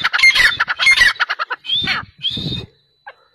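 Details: Sindhi black francolin of the 'speeder' type giving grating, clipped notes in quick bursts, followed by two drawn-out whistled notes and a short faint note near the end.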